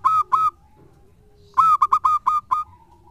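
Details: Local zebra dove used as a lure bird, singing actively: two opening whistled coos, a pause, then a quick run of six clipped, harmonic-rich notes in a stuttering rhythm.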